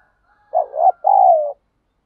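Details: Single 'thúc gù' coo phrase from a wild spotted dove: a soft warbling double note followed by a smooth, drawn-out coo that gently falls away, in quiet surroundings.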